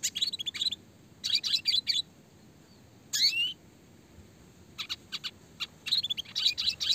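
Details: Red siskin in full, prolific song, clear voice, fast tight rolling and shooting phrases: bursts of rapid high twitters, a rising swept note, then more staccato chirp groups.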